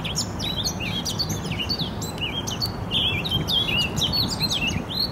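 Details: Eurasian blackcap song recorded in spring 2018 at Poznań, Poland: lively, varied warbling with quick up-and-down whistled notes, delivered continuously above a low, steady noise.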